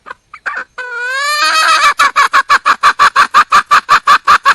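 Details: Wild red junglefowl hen calling for a partner: two short notes, a long rising drawn-out wail, then a steady, regular string of loud clucking notes, roughly three per second.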